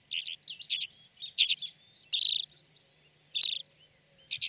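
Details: Alpine accentor (Prunella collaris), filmed in winter in Corrèze, France, gives short, rolling, trilled chirrups in bursts about a second apart, bright and high-pitched, over a faint low hum.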